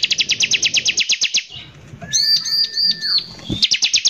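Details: Bar-winged prinia lure song in 'nembak kasar' style. It opens with about twelve evenly spaced sharp notes per second, then a pause, bright arched slurred notes over a lower whistle, and a fresh rapid run.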